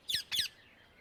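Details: Wild Indian ringneck (rose-ringed) parakeet in nature giving two harsh, screechy high notes in quick succession, a fraction of a second apart, over a quiet background.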